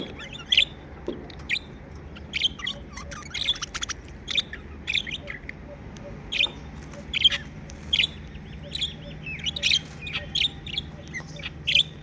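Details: Happy chirping from pet budgies: a busy run of short, sharp chirps and clicks, tightly spaced and fairly steady across the stretch, with faint low hum underneath.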